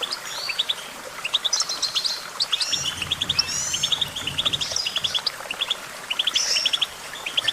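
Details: Goldfinch song: bright twittering chirps in quick bursts of two to four notes, mixed with buzzy slurred phrases and thin high drawn-out whistles, several birds overlapping, with a faint low rumble midway.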